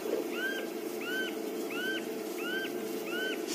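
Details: Common scimitarbill, seen while calling on a 28 May morning safari drive, giving five clear, high whistled notes, each rising then levelling off, spaced about every 0.7 seconds, over a low engine hum.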